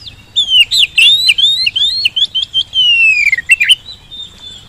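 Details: Oriental magpie-robin singing a lure to make reluctant birds reply quickly: a fluent string of clear, slurred whistles rising and falling, then a long descending note ending in a sharp flourish.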